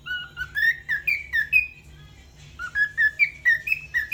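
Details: Singing cockatiel in a bathroom, delivering two phrases of short whistled notes that step upward in pitch, separated by a quiet pause, with a soft low hum underneath.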